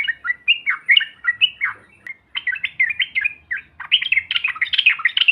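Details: Yellow-vented bulbul chatter used to provoke silent birds into sounding off: a busy stream of bubbly, slurred warbling notes that grows denser and more excited toward the end, with several overlapping phrases.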